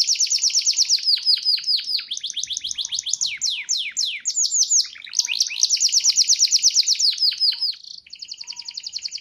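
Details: Canary kept in a collection in Petarukan, Pemalang, Central Java, singing continuously: long rapid trills of downward-sweeping notes, shifting between faster and slower tours with brief changes of phrase.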